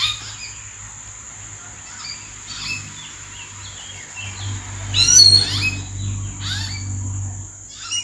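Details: Common hill mynas call from treetops in April: scattered whistles build to a loud burst of sharp ringing and grating notes, while a low hum and a steady high whine run underneath.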